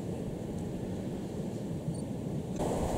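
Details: Steady wind and surf roar on a Galápagos shore, with no animal calls.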